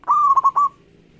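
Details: A local zebra dove in full song meant to set rivals singing: one short, smooth cooing phrase with an even opening note broken into three quick bouncing pulses before fading, with faint low background hum.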